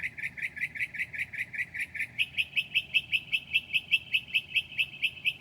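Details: Northern mockingbird mimicking other birds in its 2 a.m. song, recorded 7/9/2008: fast, evenly spaced chirps repeated several times a second, then a sudden step up to a slightly higher, brighter run of the same rapid notes.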